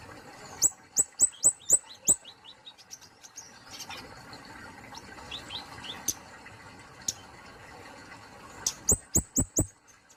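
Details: Plain flowerpecker repeating loud, sharp high chips with clicks, breaking into softer thin twittered phrases mid-sequence, then returning to a fast run of strong chips.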